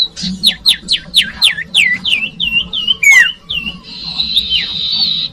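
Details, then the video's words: Common iora song used as a lure for young birds: a quick series of about a dozen clear downslurred whistles, then a sustained buzzy trill, over a faint low hum. "Audio Suara Burung Cipoh/Sirtu/Sirdung cocok buat pancingan bakalan"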